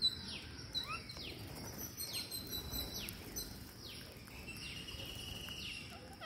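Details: Green parakeets calling at feeding time: high, falling screeches repeated roughly every second in an even rhythm, with soft background noise.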